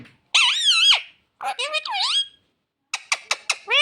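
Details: Indoor talking parrot, said to speak "mummy papa": a long, wavering, nasal word-like call, then two bending syllables, and finally a quick stutter of clipped notes ending in a rising squeal.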